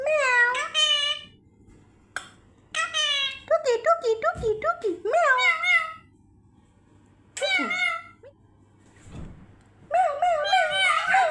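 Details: Indoor pet parrot that talks a lot, copying words and a cat's 'meow' in rapid runs of short, nasal, wavering syllables, grouped in bursts with silences between.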